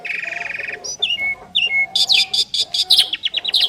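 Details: Pair of Asian pied starlings duetting: a fast trilled chatter, then clear slurred whistles, then a loud series of rapidly repeated harsh chirps.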